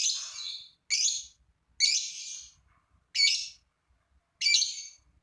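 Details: Lovebird kept to prompt other lovebirds to sing, giving five harsh, shrill squawks spaced about a second apart.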